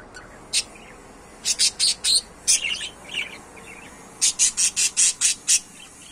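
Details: Several pet budgerigars chirping: bright, harsh, high chirps come singly, then in quick runs of four or five, a softer chattering patch in the middle, and a final even series of seven rapid chirps.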